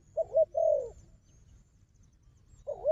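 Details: Wild dove, strong at fighting, against a decoy dove: one short double coo and a longer low coo, a silent gap, then another double coo.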